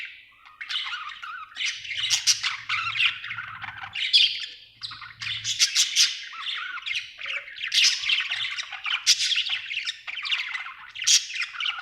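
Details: Budgie chirping happily in a steady stream of rapid, scratchy warbles and sharp high squeaks, with faint low rumbling early in the recording.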